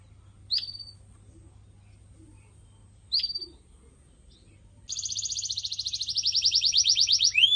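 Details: Canary in a pet-bird training recording: two isolated sharp chips separated by quiet, then a long accelerating, rolling trill that grows louder toward the end.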